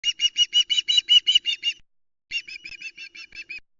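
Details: Juvenile Osprey screaming for fish on the Loch Arkaig nest, Scotland, 17 August 2020, on a nest camera: a fast run of about ten sharp, harmonic piping notes, a short pause, then a second slightly weaker run.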